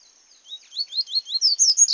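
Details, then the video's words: Seedeater known locally as papa-capim, singing in the bush, gives a building series of high twittering notes, short rising slurs repeated faster and louder toward the end. "paca capim cantando no mato"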